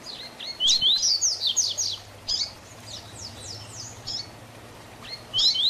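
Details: Double-collared seedeater tutor song, style Tui Tui Zel Zel Diferenciado, for teaching young birds. Quick bright whistled notes in a dense opening phrase, scattered high slurs, then another loud burst closing. A faint low hum sits underneath.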